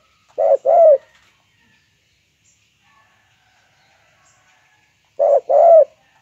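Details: Spotted dove, known locally as tekukur, calling in a lively style: two coos, a short note then a longer wavering one, heard near the start and again after a four-second pause, on a quiet background.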